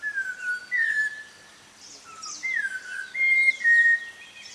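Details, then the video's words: At five in the morning in Munnar, India, an unidentified bird gives clear, loud whistles: a falling slurred note, then level notes, a rising swoop and a high steady tone, like a person whistling off-key. "What Strange Bird Whistle is this?"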